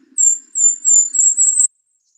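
A Golden-crowned Kinglet sings five extremely high, thin notes in quick succession over about a second and a half, rising slightly at the end.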